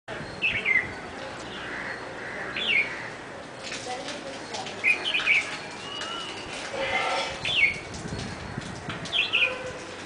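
A bulbul gives short, bright, chirpy phrases, each dipping quickly in pitch, about every two to three seconds over a steady background hiss.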